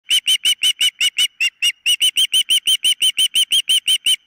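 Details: Osprey at the nest on a nest camera: a rapid series of about twenty sharp, piercing whistled chirps, roughly three per second, with a brief pause midway.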